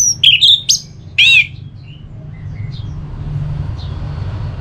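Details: Orange-headed thrush, known locally as anis merah, singing to encourage another bird to sing: a short burst of slurred whistles ending in a buzzy rasping note, followed by quiet with a low rumbling hum.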